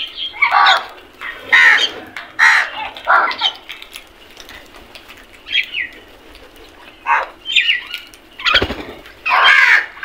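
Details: Several crows fighting for food give loud, rasping caws in quick, irregular succession, about one a second at first, then sparser. A brief low thump, perhaps wing flaps, comes near the end.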